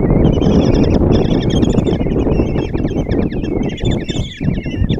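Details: Begging chorus from five common kestrel chicks being fed by the female at a nest box in Tiszalök, Hungary, June 26, 2024 morning: shrill, wavering trills stacked over one another, with loud low-frequency noise underneath.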